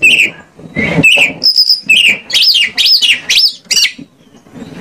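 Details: Indonesian lure recording of an Oriental magpie-robin singing to set other birds off: slurred downward notes and a thin level whistle, then a run of four loud arched whistles in quick succession.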